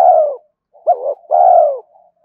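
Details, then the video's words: Spotted dove calling for decoy-bird training and luring: the tail of a long low coo, a pause, then a short rising note, a brief hoot and another sustained falling coo. "Tiếng chim cu gáy kích bổi nhanh nổi và tập mồi hiệu quả"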